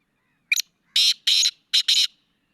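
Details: Black francolin calling: one short harsh note, then two pairs of loud grating, broadband notes, each pair quickly doubled, about two seconds in all, with no other sounds.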